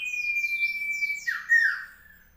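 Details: Common iora, locally called cipow, recorded on 15 June 2020 in South Malang: a sustained whistled tone under sweeping high notes, ending in a louder burst of chirping phrases.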